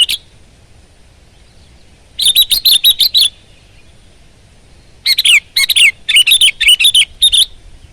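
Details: Sooty-headed bulbul in vigorous song, delivering two separated bursts of quick, sharp, bright chirps in fast series, with quiet pauses of a couple of seconds between phrases.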